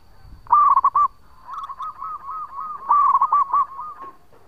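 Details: Local zebra dove giving its long song for luring: a loud rolling phrase of cooing notes, a softer continuous run of repeated coos, then another loud phrase of the same rippling notes.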